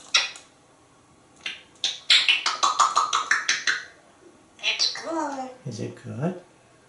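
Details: Parrot chatting with its owner indoors runs through rapid imitated words and syllables, ending with drawn-out, wavering vocal sounds.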